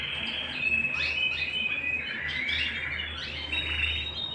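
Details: Domestic canary in song indoors, a busy stream of high chirps and quick slurred trills, some notes sweeping sharply up and down, with a steady low background hum.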